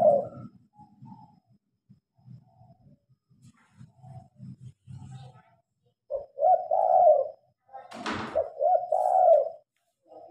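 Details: Spotted dove heard at night with lights switched on, phone-recorded: quiet low shuffling and tapping at first, then two loud rolling coo phrases, the second broken by a sharp click.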